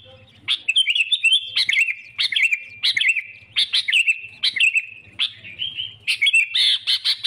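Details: Sooty-headed bulbul song meant to attract rival birds for trapping: short chirpy warbled phrases tumbling one after another about once a second, with a faint low hum underneath.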